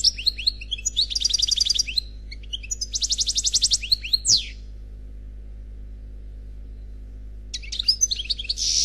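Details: Single European goldfinch singing in the Khalwi style: twittering notes, two dense rattling trills and a descending buzzy sweep, then about three seconds of quiet before a final burst of chirps and a harsh buzz.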